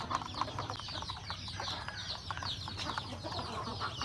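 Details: Backyard chickens, roosters and hens, at their morning feed, giving a busy stream of high chirps that slide downward, several at once, over quick pecking taps and a low background drone.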